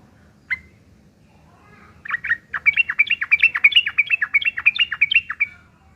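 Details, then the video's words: Yellow-vented bulbul in fighting mode, rough chattering song used as a lure so other bulbuls answer: a lone sharp note, then after a gap a fast, steady chain of clipped slurred chirps lasting several seconds. "trucukan gacor TARUNG ngeriwik kasar pancingan trucukan agar bunyi jadikan burung trucuk gacor NYAUT"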